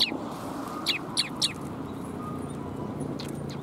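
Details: Sparrows at a Tenmangu shrine on the afternoon of 21 January 2022, giving a few short, sharp high chirps, one at the start and then three in quick succession, over a steady low background hum.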